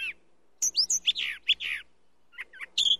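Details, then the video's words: Rich, complex brown thrasher song: loud sweeping whistles and harsher buzzy notes in quick pairs, a short pause, then softer chirps and a final bright whistled phrase. "Brown Thrasher Song"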